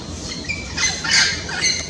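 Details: Orange-winged amazon in late afternoon before roosting, calling to its flock: harsh, raspy squawks in three loud bursts about half a second apart, over a steady background hiss.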